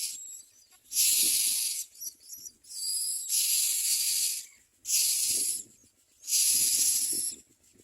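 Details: Hungry Common Mynas in the background near a nest begging: harsh, hissing rasps in four long bursts, roughly one every second and a half, with quiet gaps between them.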